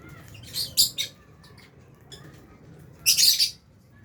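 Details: Fisher's and albino lovebirds feeding in an aviary colony with budgies; a pair of sharp, high squeaky chirps, a few faint notes, then a longer harsh chattering burst.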